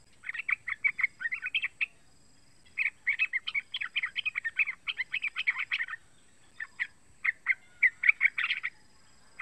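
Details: Calls of a three-month-old yellow-vented bulbul used to draw other bulbuls into song: quick strings of bright, clipped chirps in two long bursts, then scattered single notes, against a quiet background.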